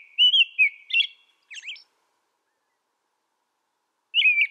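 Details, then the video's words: American robin song: three rich, slurred caroling phrases followed by a high, thin squeaky note, a pause of over two seconds, then one more whistled phrase. The background is silent. "American Robin Bird Song Sound"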